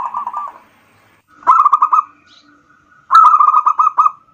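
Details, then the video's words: Local zebra dove singing, a lure recording to stimulate other birds. Three fast bubbling coo phrases separated by short pauses, each a run of evenly spaced pulsed notes ending in a short drawn-out tone. "pancingan perkutut lokal"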